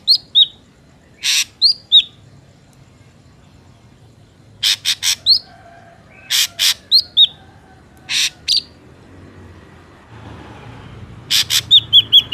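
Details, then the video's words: Ashy drongo song used as a trapping lure, mixing loud harsh rasping bursts, often doubled or tripled, with bright down-slurred whistles, given in irregular bursts across the recording with low background rumble near the end. "PANCINGAN SUARA BURUNG SRIGUNTING AMPUH"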